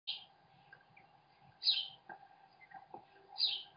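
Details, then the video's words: American kestrel chicks fed by their father, picked up by a webcam: three harsh, rasping high screeches, spaced over about four seconds, over a steady low electrical hum. "American Kestrel - Dad feeds his kids!"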